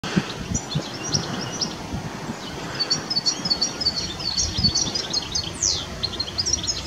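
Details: A European goldfinch sings a fast, high, tinkling twitter of bright chips and trills over a steady low rumble of wind or outdoor noise.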